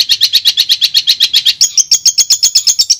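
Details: Madura long-tailed shrike master song: rapid regular chirps about seven per second, shifting midway to a higher, thinner note series at the same quick pace.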